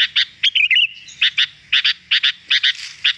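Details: Sooty-headed bulbul chattering as a lure for wild birds, giving harsh, clipped chirps in pairs at regular short gaps, broken by one brief wavering whistled phrase.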